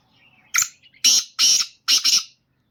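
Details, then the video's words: Black francolin (kala teetar), a chakri-type bird: short harsh nasal bursts, one then two then a close double, loud and clipped against silence. "Kala Teetar ki awaz"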